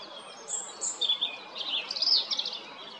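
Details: European robin song at Jarun in Zagreb, Croatia, 13 April 2022: a high whistle, then a run of rapid, scratchy, tumbling twitters.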